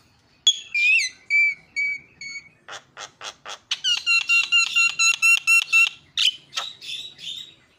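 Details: Javan myna lure call, meant to make other mynas call out: a few bright whistled notes, then a quick series of harsh buzzy pulses and a run of rhythmic ringing calls repeated about twice a second.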